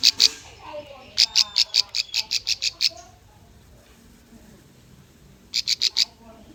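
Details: Bar-winged prinia singing, recorded as a lure for young birds: a brief double note, then a rapid string of about nine piercing high chips, a quiet gap, and a final burst of five.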